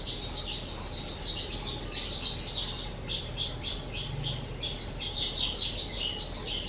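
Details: Two-year-old captive pet skylark, recorded 18 April 2023, singing a continuous, rapid, high-pitched chirping warble of short twittering notes that run on without a pause, over a faint steady low hum.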